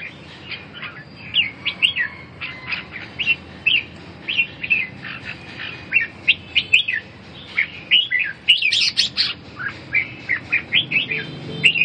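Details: Red-whiskered bulbul giving a busy run of sharp, warbled chirps and quick up-and-down whistles, with a louder, higher flurry near the end, against steady low hum.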